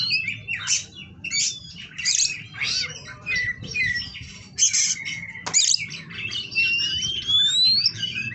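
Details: Caged Oriental magpie-robin of the 'kawat berduri' kind from a bird breeder in Kroya, Indonesia, delivering bursts of harsh squawky chatter mixed with sweet whistles and one long rising whistled slide near the end; faint low background rumble.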